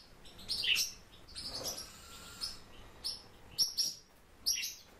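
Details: Warbling white-eye (Zosterops japonicus): thin, high chirps and brief twittering notes, a small cluster early on, then single sharp chips spaced about half a second apart over a quiet background.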